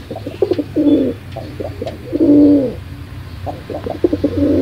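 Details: Cooing pigeon, short clipped notes building into drawn-out throaty coos, the phrases running together with brief pauses, against a low steady hum.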